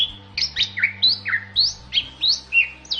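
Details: Clear whistled Bali myna song: a string of slurred notes that swoop up and down, each lasting a fraction of a second, given one after another at a brisk pace.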